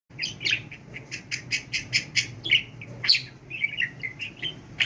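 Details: Pet budgerigar talking nonstop, as if without pausing for breath, during speech training: rapid bright chattering warble of clicks and short tonal notes, about 100 bursts a minute, indoors with a low steady hum beneath.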